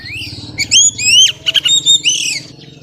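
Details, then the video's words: Female Oriental magpie-robin, singing to stimulate males, giving sliding whistles and quick double notes over a faint low hum. "tiếng choè than mái xùy hót kích trống cực chuẩn"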